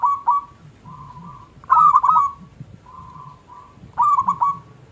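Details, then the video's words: Local zebra dove in small 'klung' style, a lure song to provoke caged doves: soft low coos alternating with two louder, quick stuttering phrases, light rumble beneath. "Perkutut Lokal Gacor Suara KLUNG Kecil PIKAT Juara Pancingan Perkutut Macet Langsung Nyaut"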